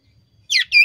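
Common iora giving two quick high notes: a bright slurred note falling in pitch, then a short steady whistle. Faint low rumble underneath.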